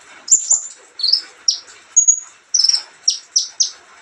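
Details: High thin whistle, a short rising buzz, then a run of quick down-slurred chips and a brief stuttering trill from an olive-backed sunbird singing at ease.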